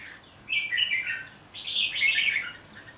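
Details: Red-whiskered bulbul song in two lively phrases of rapid, slurred whistles, the second longer and rising slightly higher than the first, with nothing else audible behind them.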